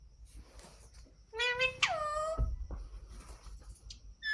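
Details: Pet Indian ringneck parakeet indoors, giving a loud, ringing harmonic screech: two drawn notes falling in pitch over about a second, then quiet room noise and a brief squeak at the end.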